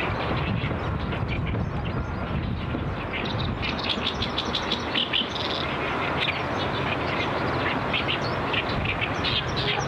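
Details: A Great reed warbler met at a pond, which spat out a pellet, gives loud, harsh, chattering phrases repeated in quick bursts over a steady rumble of wind and background noise.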